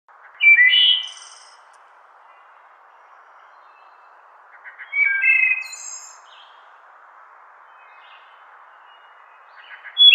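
A wood thrush sings flute-like phrases about every four to five seconds, each ending in a high, shimmering trill, over a faint steady hiss.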